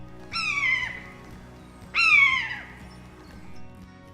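Two drawn-out, plaintive Common Buzzard mews, each a high cat-like 'peee-yoo' sliding downward, about a second and a half apart, over soft background music.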